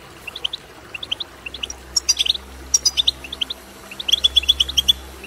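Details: European goldfinch song used to stimulate goldfinches to sing: quick, bright tinkling twitters and liquid trills in fast bursts, high-pitched throughout, with a faint low hum beneath.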